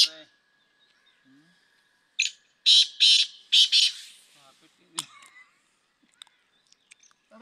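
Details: Black francolin training call: faint scattered sounds, then a loud phrase of four harsh, rasping notes, followed by clicks, rustling and a brief voice.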